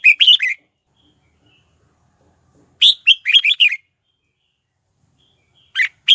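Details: Red-whiskered bulbul used as a decoy, singing to call wild birds to fight. Bright, rapid warbled phrases of several chirping notes, a longer one mid-clip, separated by quiet pauses, with a brief phrase beginning at the close.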